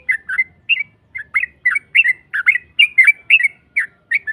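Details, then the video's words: Long ropel song of a yellow-vented bulbul used as a lure to provoke a rival: quick series of clear whistled and slurred chirps, some doubled, with brief gaps between bursts. "Pancingan trucuk NARUNG NEMBAK Ropel panjang BUAT Mancing EMOSI LAWAN PASTI nyaut Ngropel Seketika"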